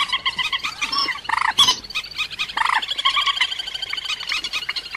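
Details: Lure recording of a rail for trapping: continuous rapid, grating notes with rich overtones, interrupted by a few louder drawn-out squawks, with the chattering steady throughout.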